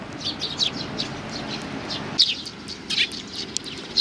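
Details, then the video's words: Eurasian tree sparrows arriving at a bench to be fed, 3 June 2020, giving scattered sharp chirps, a few louder calls punctuating softer chatter, with a faint low hum behind. "ベンチの上のすずめ達 20200603 1（餌を貰いに来る雀達"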